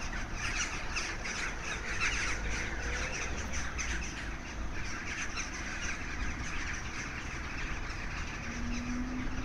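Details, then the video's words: Thousands of crows over Maasmechelen, Belgium, on 9 March 2015: a dense, continuous chorus of harsh overlapping caws and squawks from a huge flock, with low rumbling background noise. "1000's Of Crows in Maasmechelen in Belgium on 9 March 2015"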